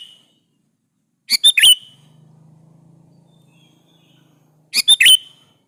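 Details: Sooty-headed bulbul singing as a lure to call rival bulbuls; two crisp multi-note chirp phrases about three and a half seconds apart, with a steady low hum filling the gap.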